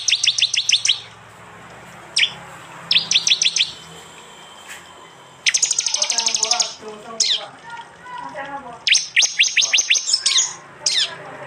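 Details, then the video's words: Prinia from East Java giving the hard rapid 'tembakan' song, recorded by Android phone for a bird-tutoring mix. Bursts of fast, high, clipped notes separated by pauses, with a softer lower chattering in the middle section. "masteran Tembakan prenjak jali keras"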